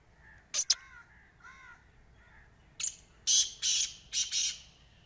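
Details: Black francolin phrase of five loud, scratchy, buzzy notes in short pairs, preceded by two sharp clicks and soft, wavering harmonic calls from another bird.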